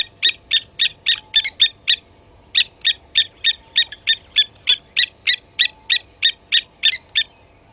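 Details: Blacksmith lapwing at Gowrie dam on Djuma Game Reserve, South Africa, early morning, 29 August 2020, as one adult kills a chick from the nest: repeated sharp tink calls, about three per second, broken by a brief gap.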